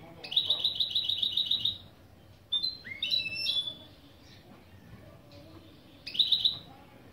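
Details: Goldfinch-canary mule opening phrases: a quick high trill, then upslurred whistled notes and chirps, and after a pause another short rapid trill.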